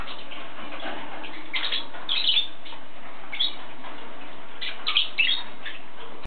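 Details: Yellow-sided conure making brief, rasping chirps in small groups of two or three, spaced across the recording above a continuous low hiss.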